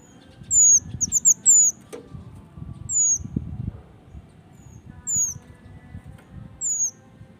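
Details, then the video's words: Song of a male mountain leaf warbler: an opening cluster of rapid, high, thin downslurred whistles, then single sliding notes spaced about two seconds apart, with low background hum. "Suara burung Mantenan Jantan"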